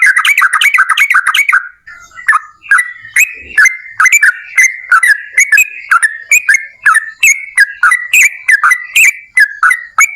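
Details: Yellow-vented bulbul (trucuk) in vigorous 'gacor' song used to spur other bulbuls: a quick bubbly opening run, then evenly spaced liquid, whistled notes repeated roughly every half second.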